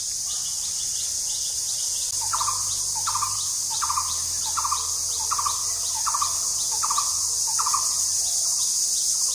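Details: A blue-throated barbet calls in spring, a steady run of hollow, mid-pitched rolling notes about one every half second, over a constant high insect drone.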